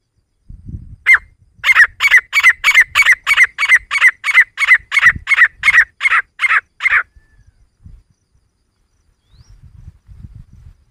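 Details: Female grey francolin, used as a hunting call in Sikar; a fast run of about eighteen loud, harsh, even notes repeated about three per second, then stopping, with low thumps and handling noise around.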